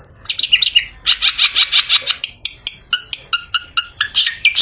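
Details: Bathed long-tailed shrike in lively afternoon song meant to attract other shrikes: a string of evenly repeated buzzy notes, then clearer chirps stepping lower, about three per second, in a varied rush.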